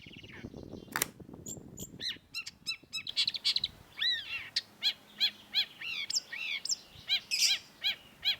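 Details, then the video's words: Long-tailed shrike in full song on a master recording for training cage birds: a loud snap, then rapid high chirps giving way to a steady series of clear, bright, arched whistled notes repeated about twice a second. "cendet gacor MASTERAN CENDET SUARA TAJAM || Long-tailed Shrike"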